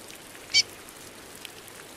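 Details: Female chestnut-bellied seed-finch (curió) calling in the rain: one short, sharp, high chirp stands out over a steady hiss of rainfall.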